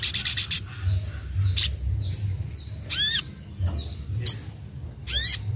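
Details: Ruby-cheeked sunbird (sogok ontong) singing gacor nembak isian with wings fluttering: a brief high trill, then spaced sharp high notes and curved, squeaky downward-sweeping whistles repeated about every second or two.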